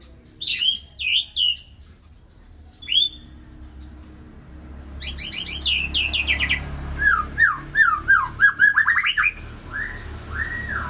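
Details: White-rumped shama song: scattered rich whistled phrases, then a pause, followed by a fast varied sequence of sliding whistles and chatters, ending in a series of lower downslurred notes; faint low hum beneath.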